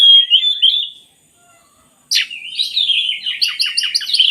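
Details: Oriental magpie-robin song for rousing lazy singers: a warbled whistle phrase, a second of silence, then a sharp note opening a quick train of repeated chirps and whistles.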